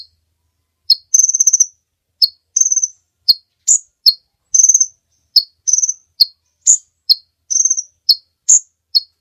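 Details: Kolibri ninja sunbird in full song, recorded as a training track for other birds: short sharp chips mixed with rapid buzzy trills lasting about half a second, delivered in a quick, irregular series.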